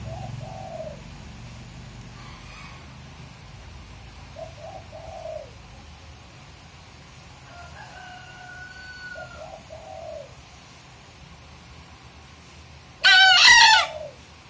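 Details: A young bekisar rooster (green junglefowl × chicken hybrid) from Magelang, which only began crowing about three days earlier, tries a crow, ending in one short, loud, hoarse burst after soft clucks.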